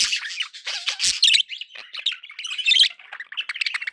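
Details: Cheerful budgie chatter, steady, rapid warbling laced with chirps, short whistles and gritty squawks, several birds overlapping throughout.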